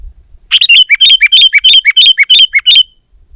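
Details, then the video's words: Sooty-headed bulbul singing to pressure a rival: a clean, rapid series of about a dozen bright, slurred whistled notes, each dropping then rising, delivered evenly for about two and a half seconds. "Suara Burung Kutilang Gacor Menekan Lawan Terbaik || Burung Kutilang Lain Emosi Dan Ikut Gacor"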